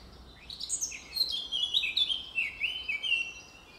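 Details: Eurasian blackcap, described as a fine singer, in forest: a warbling phrase of chattering notes flowing into clear descending fluted whistles, over a constant low hiss of background noise.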